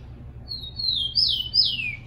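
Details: Warm-up song from a captive rufous-collared sparrow: a high steady whistle that steps into two strong slurred notes, the last dropping well down in pitch.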